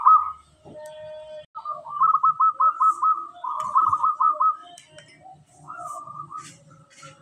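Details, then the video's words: Local zebra dove singing strongly, kept as a lure bird: rolling, bubbly trilled coos at mid pitch in bursts of rapid beats, several phrases in a row with short pauses, faint high chirps of other birds behind. "Perkutut lokal gacor sangat jernih sekali buat pancingan"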